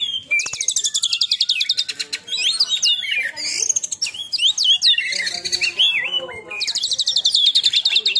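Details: Oriental magpie-robin (kacer) that has moulted once, singing in the fast 'tembakan' style: loud, rapid buzzy trills and rattles mixed with sharp rising and falling whistled notes, delivered in dense bursts almost without pause.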